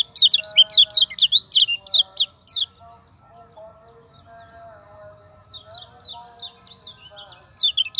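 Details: Lure recording of a Common iora: a burst of quick, high zigzag whistled notes for two and a half seconds, a pause of soft faint sounds, then the rapid whistling resumes near the end.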